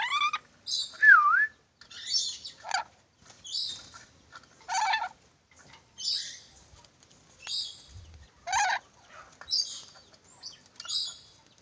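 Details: Sulawesi ornate lorikeet producing short, rasping screeches about once a second, opening with a single looping whistled note, with quiet gaps between the bursts.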